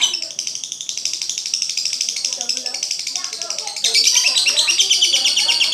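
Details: Lovebird singing a long run of rapid, rhythmic, high chirps and scratchy twitters that grows louder and busier partway through.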